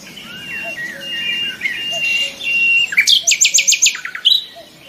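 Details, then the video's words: Common nightingale song: varied whistles and slurred notes, then a loud run of about six rapid, clipped notes, with other birds faint in the background. "the sound of nightingales"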